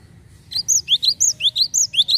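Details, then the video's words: Java sparrow used as a lure bird, giving a quick burst of about eight bright, high chirps that alternate between upward and downward slurs, with a quiet low hum beneath. "PANCINGAN GELATIK BAHAN"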